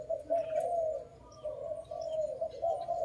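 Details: Dove heard during bird trapping, giving soft, steady cooing in drawn-out, gently wavering phrases separated by brief pauses, with faint high chirps of small birds in the background.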